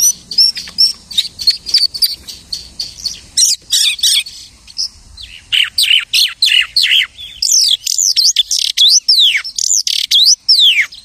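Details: Mimicking lark song: a run of quick high twittering notes, a brief pause, then loud sweeping whistles that rise and fall in fast swoops, repeated densely toward the end.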